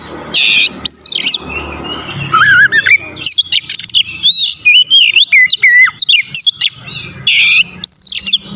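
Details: Vigorous song of an Oriental magpie-robin meant to rouse rival males: rapid varied phrases of sharp chirps, wavering whistles and dense high trills, nearly continuous, over a soft low background rumble.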